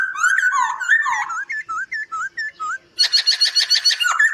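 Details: Song of a white-crested laughingthrush meant for training birds: rich slurred whistles, then a run of short dipping whistles, then a fast rattling series of harsh buzzy notes.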